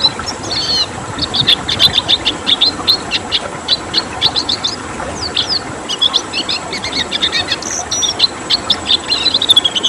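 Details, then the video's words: Red siskin in 'tembakan' song: long sequences of quick high chips and twitters in rhythmic bursts, a few clear whistles between, recorded to train caged birds; constant background hiss. "Masteran Tembakan Siskin Merah"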